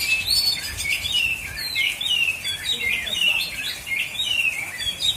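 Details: Oriental magpie-robin singing at a bird singing contest in Aceh Selatan, Indonesia: a continuous, rapid stream of varied high whistles, chattering trills and sharp notes with no pauses, over faint background murmur.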